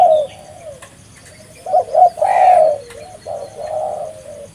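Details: Lure recording of a vigorously calling spotted dove: a short coo, a pause, then a louder cluster of throaty coos trailing into softer, quieter notes.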